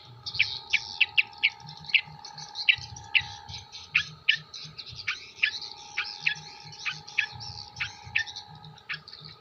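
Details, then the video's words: Long-tailed shrike from Jember, Indonesia, singing with learned material of other birds: sharp, high chirpy notes repeated in quick bursts of two or three, roughly every half second, over a steady low hum. "CENDET MATERI KUNTILANAK GEREJA TENGKEK BUTO ASLI JEMBER"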